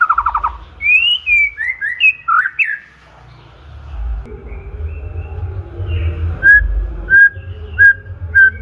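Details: White-rumped shama singing to stimulate other songbirds: a varied run of sweeping whistled and slurred notes, a pause, then short clear whistles repeated roughly every half second over a low hum.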